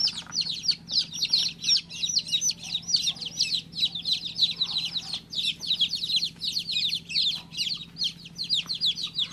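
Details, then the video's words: Newly hatched baby chick chirping: a rapid, steady stream of high, thin peeping notes, roughly three per second, each a short falling whistle, with a faint low hum underneath. "Cutest baby chick chirping sound"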